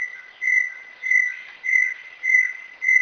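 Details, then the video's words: Brown Tinamou (Inhambu Guaçu) song: steady whistled notes, quicker now at nearly two per second, evenly spaced over a faint continuous tone. "Canto número 3, Inhambu Guaçu. Canto"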